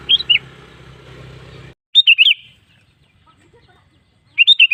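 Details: Sooty-headed bulbul singing in a lure recording for other bulbuls: three quick bubbly, warbled phrases of rising and falling notes, with a low rumbling hum at the start and a quiet gap between phrases.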